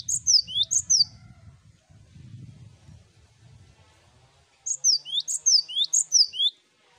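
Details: Cinereous tit, a chorus recording used as a master to get birds singing: bright two-note phrases, a high falling whistle then a lower rising one, repeated in two bursts with a low rumbling hum between them.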